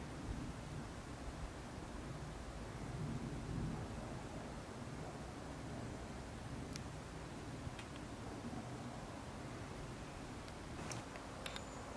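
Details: Steady low rumble of wind or distant traffic with a few faint clicks, and no clear animal voice.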